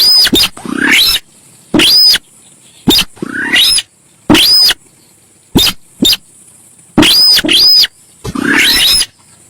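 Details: Sintar sawah (Javan pied starling), recorded as a lure: loud grating calls each capped by a clear arched whistle, rising scratchy sweeps, and short sharp clicks, in an irregular fast sequence.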